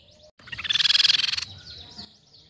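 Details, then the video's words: Crescent-chested babbler lure call: a short, rapid trill of many even pulses, bright and rattling, with faint downward whistles from other birds in the background. "PANCINGAN BUNYI TEPUS PIPI PERAK"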